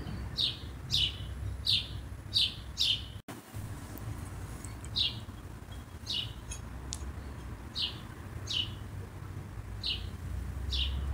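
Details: A scolding bird, named as a common blackbird though possibly a sparrow, gives sharp, high chinking notes, about one or two each second, in short bursts over a steady low rumble.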